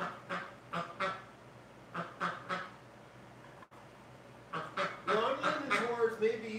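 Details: Domestic ducks in a hospital pen, live stream of February 12, 2018: paired raspy quacks in bursts, a short pause, then a busier overlapping chorus of quacks and nasal calls.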